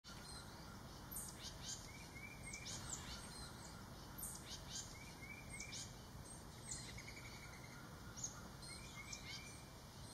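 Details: Juvenile Tufted Titmice (Baeolophus bicolor), brought by parents to the woods' edge and feeders in Maine, July 2024, give thin, high chirps and short slurred notes every second or so, over a steady low outdoor rumble.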